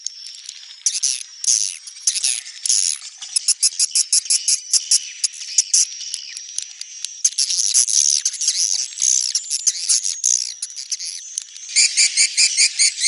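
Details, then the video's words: Neutral-style swiftlet calling, a long stream of rapid, clicking high chirps packed into pulses, growing denser and more buzzy toward the end. "SUARA BURUNG WALETNETRAL soUND"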